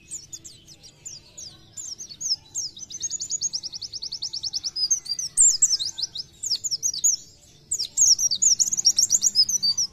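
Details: Energetic 'nembak' singing from an Oriental white-eye: thin, high twittering that builds into long, rapid trills of repeated sharp notes, broken by brief pauses, over a faint low background hum.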